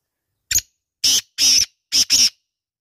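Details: Black francolin, locally called kala teetar, in a hunting context: five loud harsh grating notes in quick bursts, the first short, then paired notes spaced about half a second apart, on a silent background.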